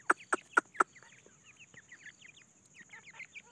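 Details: Grey francolin chicks searching for food: four sharp loud taps, then a run of soft, short, upslurred peeps tumbling over one another in quick succession.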